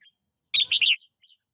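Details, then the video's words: Red-whiskered bulbul in a lychee orchard, recorded 21 March 2020: a single half-second burst of bright, bubbly, warbled notes, with faint short chirps before and after in an otherwise quiet setting. "เสียงนกกรงหัวจุก ในสวนจี้นจี่"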